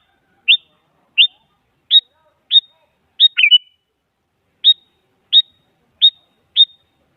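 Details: Sooty-headed bulbul, described as a female calling a male and used as a lure to make a silent bulbul answer: ten short, sharp, high chirps spaced under a second apart, with one brief doubled note midway and a gap before the last five.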